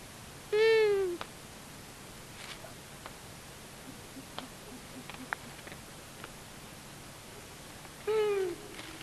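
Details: Long-eared owl male and female visiting a buzzard nest near Tiszavasvári, Hungary, March 23, 2022, nest camera: two loud drawn-out nasal downslurred calls about seven seconds apart, with soft ticks and scratches in between.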